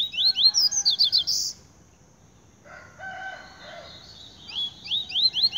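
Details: Double-collared seedeater singing vigorously: rapid bursts of high, sharp rising chirps repeated several times a second, a pause with fainter lower notes, then the quick chirping series resumes.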